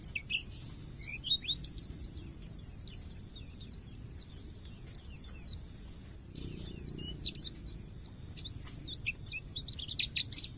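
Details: White-eye singing in the wild, used as a training master: quick run of high twittering notes and downslurred whistles, a brief pause near six seconds, then more scattered chirps over a constant high hiss.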